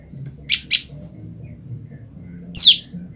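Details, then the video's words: A female olive-backed tailorbird, separated from her male, keeps calling to her mate, used to lure males: two quick high chirps close together, then a sharp, sweeping downslurred note; faint low hum underneath. "prenjak lumut betina memanggil pasangannya"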